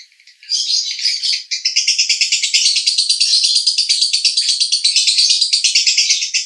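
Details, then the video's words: A male lovebird from Cibinong, Bogor, delivers konslet roda gila song: after a half-second pause, a nonstop rapid high chattering trill of fast, even pulses continues for about six seconds. "Master Lovebird Jantan Konslet RODA GILA"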